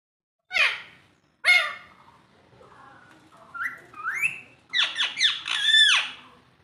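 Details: Alexandrine parakeet, a hill parakeet, imitating human speech; two loud harsh harmonic squawks, then a quieter warbling stretch and a quick run of four or five falling, chattering syllables, all indoors.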